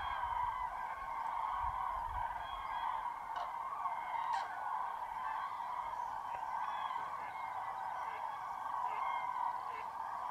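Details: Distant mass of common cranes at a foggy dawn roost, Tablas de Daimiel National Park, mid-January. A steady, unbroken hum of countless far-off trumpeting calls blends into one droning chorus, with a few closer clicks standing out.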